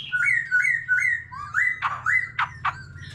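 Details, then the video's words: Mature wild-caught white-rumped shama singing many varied phrases alongside a laughingthrush: three rising whistled notes repeated about every third of a second, then sharp downslurred buzzy notes mixed with clear rising whistles, over a steady low hum. "Choè lửa già rừng nhiều giọng hót solo cùng khướu siêu hay"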